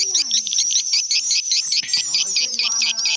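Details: Swiftlet house lure sound. Shrill, buzzy chirps are repeated steadily about two or three times a second, with faint low tones beneath.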